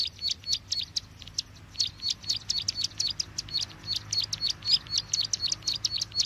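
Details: Bar-winged prinia call used as a lure for trapping: brisk, slightly uneven series of sharp high chips, roughly four per second, with a faint low hum beneath.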